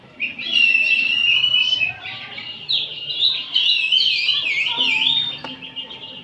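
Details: Afternoon ombyokan chorus of oriental magpie-robins for training a kacer. A loud, sustained run of shrill whistles turns into rapid zigzagging trilled notes, several birds overlapping, with a faint lower steady tone near the end.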